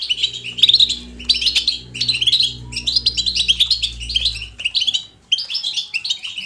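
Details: European goldfinch 'betbeta' song, meant to spur a pet goldfinch into singing: bright twittering bursts repeated roughly every second, each a cluster of quick high chirps, over a steady low electrical hum.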